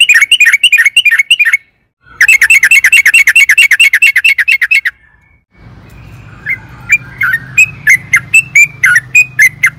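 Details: Yellow-vented bulbul in excited long 'ropel' song, a lure for caged birds: two fast runs of clipped repeated notes, the second about three seconds long, then slower chirps over a low hum.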